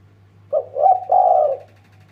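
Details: Spotted dove calling in the 'deruk ngguk' style, used as a lure to get other birds singing: a short soft note, then two longer, hoarse, mellow coos, over a steady low electrical hum.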